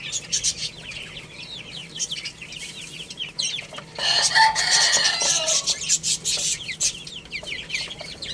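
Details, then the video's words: A group of baby chicks playing and eating keep up high falling peeps, interrupted midway by about a second of louder, noisier broadband sound before the chirping resumes. "Cute Little Chicks Chirping Sounds| Baby Chicken Playing and Eating"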